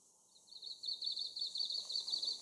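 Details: Dark-sided flycatcher gives a rapid run of thin, high, sibilant call notes for about two seconds over faint hiss; several birds chasing each other, with goldcrests, Japanese leaf warblers and coal tits calling nearby.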